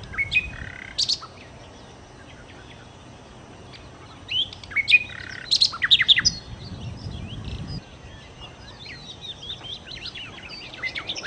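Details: Lively song of the nightingale called sikatan londo: widely spaced bursts of sharp, high, scratchy notes and chirps separated by quiet gaps, with a denser cluster in the middle and faint twittering toward the end.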